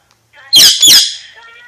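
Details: Alexandrine parakeet giving a double harsh, screechy squawk, loud and brief, trailing into a faint thin whistle.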